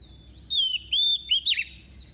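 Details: Double-voiced song of a decoy female Oriental magpie-robin, sung to excite males: three loud, pure whistles held around one pitch, the last twisting into a buzzy flourish, a faint thin whistle trailing after.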